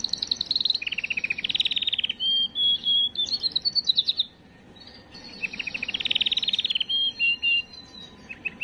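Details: Canary song played to stimulate and prepare females: rapid rolling trills of repeated high notes, then sweeping whistled phrases and a pause near the middle, the rolls picking up again with buzzy tours and short chirps.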